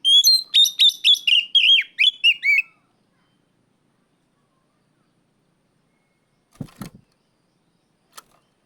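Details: Oriental magpie-robin calling out a rival: a rapid run of about eight whistled, slurred notes over nearly three seconds, then silence with faint clicks.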